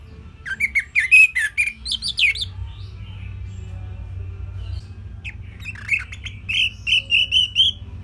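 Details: Orange-headed thrush singing a simple song meant for songbirds to copy: a burst of sweet, slurred whistles and chirps, then a few quiet seconds, then another run of rising, twittering whistled notes.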